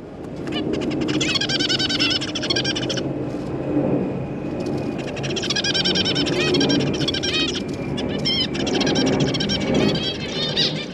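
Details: Caged zebra finch family, parents busy feeding newly hatched babies alongside three juveniles; a dense, continuous chatter of harmonic, nasal calls fills the clip with brief pauses, over a steady low background hum.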